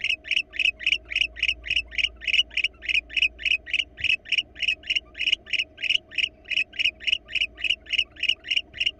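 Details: Wild barn owls, a pair visiting a monitored nest box in Florida, picked up by the box camera. Harsh clipped notes come in a steady fast series, roughly three to four each second, over a soft background hum.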